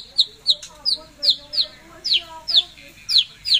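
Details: Pet white-rumped shama singing gacor: a run of sharp, downslurred high chirps repeated about every 0.4 seconds, with faint lower drawn-out tones underneath.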